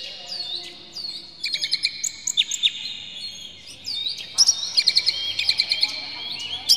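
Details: Oriental magpie-robin singing emotionally with tail spread, a full varied song to provoke other magpie-robins; soft whistled notes build into bursts of fast repeated chirps and bright sliding whistles.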